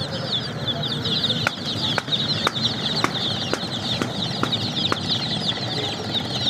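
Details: A group of baby chicks chirping nonstop in high, quick peeps, while sharp knocking clicks repeat roughly every half second over a low background hum.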